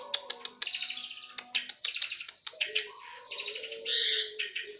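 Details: Eurasian tree sparrows in a fight, recorded as tutor audio for pet birds: dense, rapid chattering chirps and clicks that end in a loud harsh squawk, with a low steady tone underneath.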